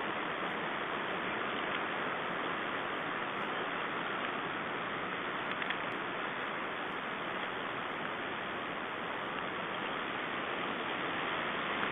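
Steady broadband hiss, like wind or static, fills the whole recording with no animal calls standing out.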